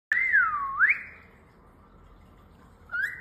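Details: Pet male cockatiel whistling in response indoors: one clear whistled phrase that rises, dips and sweeps back up, then a short pause and a brief rising whistle at the end.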